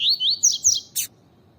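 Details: Coleiro tui tui, the double-collared seedeater, in a female-calling recording meant to stimulate males: a few rapid upslurred whistles rising to higher, harsher notes, ending in one abrupt noisy burst.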